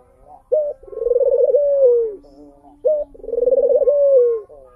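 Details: Ring-necked dove of a crested, mottled tangerine colour variety cooing twice: a brief sharp opening note followed by a drawn-out, vibrating purr that drops in pitch as it ends, with a low steady hum between calls.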